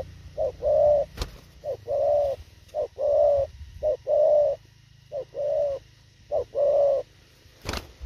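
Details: Spotted dove repeating its quick thổ khàng coo: six paired phrases, a short hoot then a longer mellow one, spaced about a second apart. There is a low hum and a couple of sharp clicks.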